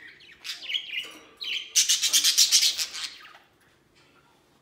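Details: Pet budgerigars playing outside their cage, white budgie among them; a few chirps, then a loud run of rapid buzzy pulsed chatter for about a second and a half before fading to quiet.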